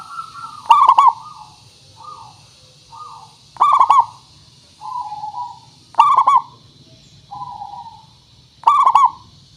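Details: Local zebra dove used as a lure to make trapped-for birds answer. Low, mellow cooing: four loud stuttering bursts of rolled coos, about every 2.7 seconds, with softer drawn-out coos from another dove in between. Faint steady hum underneath.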